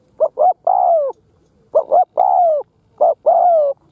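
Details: Cooing of a lure spotted dove meant to attract wild doves: three rhythmic phrases, a quick pair of low notes and then a longer descending coo, in a clean recording.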